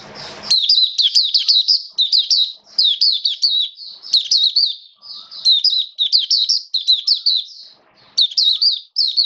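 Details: Oriental white-eye (Mata Puteh) kept in a cage as a hobby songbird, 29 September 2022: near-continuous high, jumbled warbling in dense bursts with brief gaps, opening with a short low thump.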